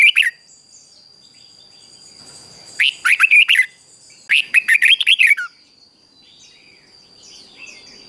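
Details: Red-whiskered bulbul singing in a morning practice session: three bouts of fast, lilting whistled phrases with rising and dropping notes, separated by pauses, a thin steady whine running throughout.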